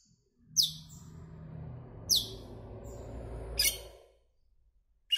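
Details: Asian glossy starling, a greenish black bird, uttering three piercing, descending chirps about one and a half seconds apart over a steady low rumbling noise that fades out near the end.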